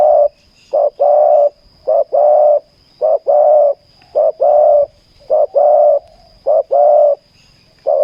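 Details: Decoy spotted dove in a ground trapping session, cooing steadily: seven paired phrases of a brief note then a longer rolling coo, evenly repeated roughly once a second.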